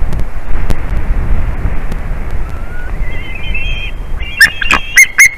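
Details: Adult male white-tailed eagle calling a lot in the nest as his mate returns, 8 April 2021 at 2:54 pm, after rain. Thin, high whistled chirps, short repeated notes near the end, over strong wind rumble and sharp clicks.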